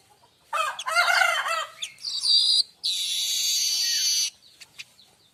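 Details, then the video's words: Streaked weaver song, kept as a tutor recording for oriental magpie-robins and white-rumped shamas: a burst of harsh, chattering notes, a short high buzz, then a long, steady, sizzling buzz of about one and a half seconds, then faint ticks. "Manyar kembang dor untuk masteran burung kacer &murai batu anda"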